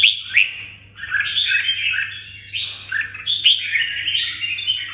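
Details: Continuous bubbly song from a red-whiskered bulbul kept in Đồng Nai, rapid warbling and sliding whistles almost without pause, a few sharp high accents, a low hum and some room noise underneath.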